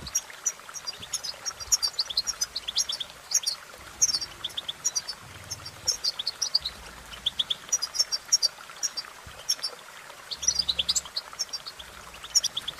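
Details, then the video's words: Long run of European goldfinch song: continuous, fast, high twittering with buzzy trills and tinkling notes, steady throughout, over faint low background rumble. "innovative Ways To impress The Goldfinch With Bird Melodies"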